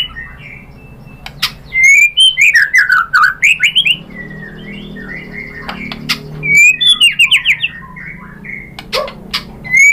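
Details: White-rumped shama song played as a lure to draw replies from other shamas: bursts of loud, clear whistles sliding up and down, with rapid rising-falling phrases and brief pauses between bursts.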